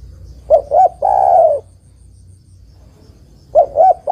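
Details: Female spotted dove calling the male with a full phrase of two brief coos and a longer sustained croo. After about two seconds of quiet, the two short opening coos begin again. A faint low background hum is present.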